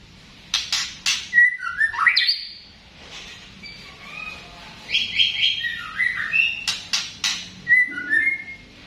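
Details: White-rumped shama, tompel type, doing its 'batuk' (cough) sound: sharp clicky bursts and short rising and falling whistles, with scratchy chatter between loud phrases, over a soft low hum.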